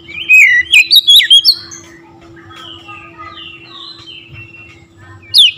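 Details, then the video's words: Magpie-robin song meant to provoke other birds: quick loud swooping whistles and chips in a tight cluster, soft drifting warbles after, then one sharp rising note at the end. "TERAPI KACER LAIN LANGSUNG TERPANCING EMOSI GACOR DOR"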